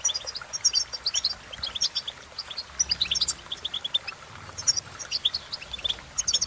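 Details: Goldfinch producing long runs of fast, high chattering notes and trills, nearly continuous with a few short breaks, faint low hum underneath.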